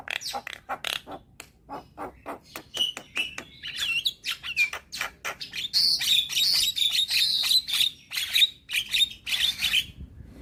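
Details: Young black-winged starling, used as a lure to get silent starlings singing: rapid clicking and ticking notes, then varied whistles and a dense run of bright, warbling, buzzy phrases.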